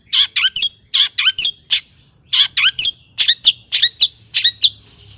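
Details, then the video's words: Lure recording of a long-tailed shrike meant to make other shrikes sing; sharp squeaky chip notes in pairs and triplets, separated by short pauses, with one faint thin whistle. "PANCINGAN CENDET AGAR BUNYI"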